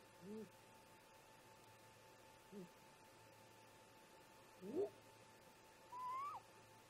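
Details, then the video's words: Great grey owl parents calling to each other near a snag nest at about 04:25 MDT on 14 July 2017, recorded by a nest camera: soft low hoots, then upslurred whoop notes and a rising whistled note, faint over steady hum. "Great Gray Owl - Parents Have a Talk"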